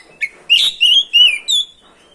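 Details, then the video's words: Loud whistled song of an oriental magpie-robin, played to provoke other birds to sing: four strong, smoothly gliding notes in quick succession, the last one higher and clear. "PANCINGAN SUARA BURUNG KACER GACOR NGEROL BIKIN KACER LANGSUNG EMOSI‼️"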